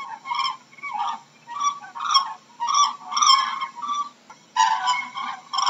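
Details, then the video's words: Crane calling in a series of loud, rattling, bugle-like notes grouped into short bursts with brief gaps, overtone-rich and partly overlapping; a short pause comes before a final strong burst. "How does a crane sounds"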